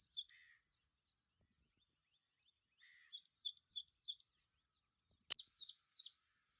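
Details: Ashy prinia giving bright, high chirping notes: a short burst at the start, then after a pause a run of about five quick, slurred notes repeated in rhythm. A faint steady high whine runs throughout, and a sharp click breaks in near the end.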